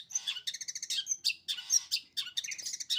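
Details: Sembur-style song from a long-tailed shrike: a fast, unbroken stream of raspy, buzzy notes mixed with sharp, high whistled squeaks, delivered in quick bursts.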